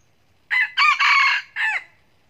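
A red junglefowl's crow: a harsh, hoarse, four-part phrase, with a brief first note, two long run-together middle notes and a clipped, falling final note. The background is quiet.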